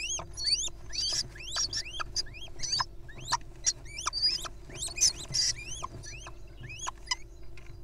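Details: Little owl nestlings play fighting, grappling with one another, producing rapid series of sharply rising squeaky calls, several per second, with harsher hissy bursts and scuffling taps over a constant low hum.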